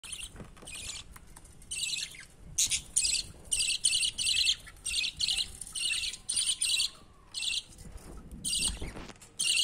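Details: Baby budgerigar climbing toward its father to be fed, giving harsh buzzy rasping bursts, high-pitched and grating, repeated in uneven runs of short pulses with brief pauses between groups.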